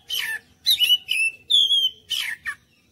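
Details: Oriental magpie-robin lure song meant to make other birds sing back, heard as short bursts: rasping chatters alternating with a sustained pure whistle, about six separate notes.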